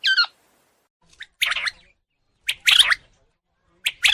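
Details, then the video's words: A quail gives a brief descending whistled note, then a series of scratchy, squawking bursts about a second apart, some doubled. The background is quiet. "Tunog ng PUGO | Sound of QUAIL"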